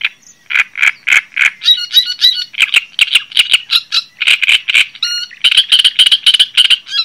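A Java sparrow's busy song of rapid, bell-like clicks and chips, run together with short whistled notes, about three to four per second, pitched high.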